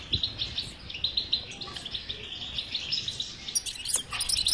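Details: European goldfinch batbata song aimed at getting a silent goldfinch singing: lively high twittering with rippling runs, turning into sharp, very high trills toward the end.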